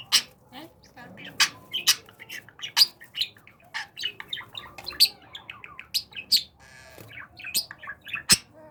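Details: Talking pet budgerigar in training, delivering a busy run of clicks, chirps and scratchy mimicked syllables, bursts of louder ticks about every half second, with a faint low hum underneath.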